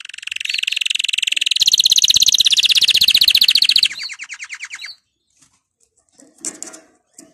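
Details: Canary song used to encourage other canaries to sing: a long, rapid, rattling trill of high pulsed notes that speeds into a dense roll, slows into separate notes, then gives way to a few faint chirps.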